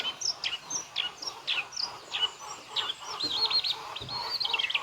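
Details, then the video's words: White-rumped shama song, its full repertoire including imitated phrases: a run of short downward-sweeping notes, then rapid warbled trills wavering high and fast near the end. "MURAI BATU FULL BONGKAR ISIAN"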